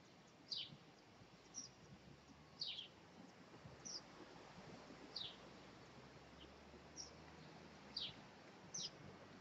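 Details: Tiny robin chicks, five of them at three days old, being fed by their parents on 2/5/2020. Faint sharp descending squeaks repeat roughly once a second, evenly spaced, against steady low background noise.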